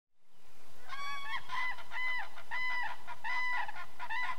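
Common cranes calling together: loud, rolling trumpeted notes, overlapping and repeated roughly twice a second, with a faint background hiss.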